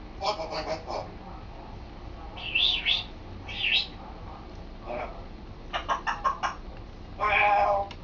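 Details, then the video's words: Pet African grey parrot practising words and sentences indoors; bursts of harsh, speech-like syllables with brief higher whistled squeaks in between, separated by short pauses. "African Grey Sambuka trying to talk and succeeding!"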